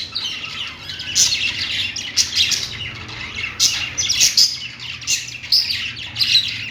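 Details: Several budgerigars singing while perched; a steady stream of high chirps and warbles with louder sharp notes roughly every second, a soft low hum underneath.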